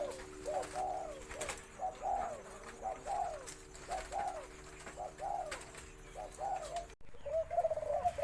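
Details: Spotted Dove, white-coloured caged bird of uncertain sex (owner leans female, 60/40), gives a mid-to-deep mellow cooing phrase about every second with a deep note, low steady hum underneath and a brief knock near the end.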